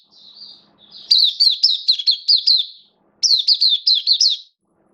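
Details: Hobby oriental white-eye in a cage, giving its open song on 11 September 2022, form slightly down: a soft high lead-in, then two quick runs of sharp, bouncing twitters at a steady high pitch.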